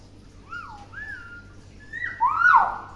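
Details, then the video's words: Tame, talkative pet common hill myna that copies many words whistles a string of clear sliding notes: two rising-falling glides, then a louder swooping whistle near the end, with little background noise. "Blacky Beo Jinak Pintar Ngomong‼️"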